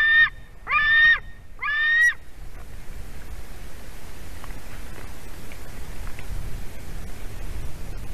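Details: White-tailed eagle chick screaming as its parent delivers a fish at the nest, recorded around 4:50 pm on 31 August 2020 in Durbe, Latvia: three loud harmonic screams in the first two seconds, then quiet background.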